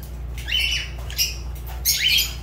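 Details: Pet Fischer's lovebird calling indoors: a run of raspy, buzzy squawks, some rising sharply then levelling off, a louder harsh burst near the end, with faint constant low hum behind.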